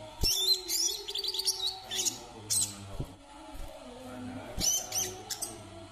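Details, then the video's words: Kalimantan brown-throated sunbird pouring out rapid, thin, high chirps and sweeping squeaks in dense clusters, pausing briefly before another burst, with a low hum behind. "KICAUAN KOLIBRI KELAPA KALIMANTAN"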